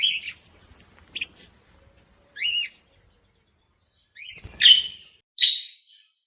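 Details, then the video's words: Budgerigar song used to encourage other budgies. Sparse, clear, high chirps and short whistled notes with silences between them, including two louder, sharper calls near the end. "صوت بادجي لتحفيز طيور البادجي العاشق والمعشوق"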